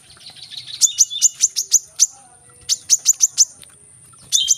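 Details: Brown-throated sunbird (kolibri kelapa) in rapid 'tembakan rapat' delivery meant to get lazy birds singing: runs of five or six quick, needle-thin high chips, broken by short pauses, repeated three times.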